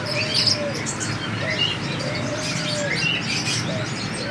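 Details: Free-flying seven-coloured sunbird: sharp high tweets and brief squeaky phrases come every second or so, over low soft dove coos and a constant hiss.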